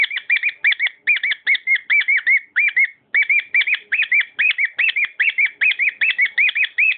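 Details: Continuous singing from a pet cockatiel: steady strings of quick, arched, whistled chirps repeat for several seconds, with only a brief break midway.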